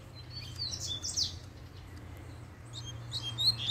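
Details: Double-collared seedeater excited by a female, giving a few high, slurred whistles and chirps at the start and a short twittering burst at the end, with a quiet gap and a low electrical hum.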